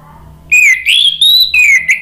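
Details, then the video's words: Orange-headed thrush song used as therapy to get a stalled bird singing: a clear downslurred whistle, a long rising-then-level whistled note, then another falling whistle. "PANCINGAN ANIS MERAH agar BUNYI jadi NYAUT GACOR NGEPLONG"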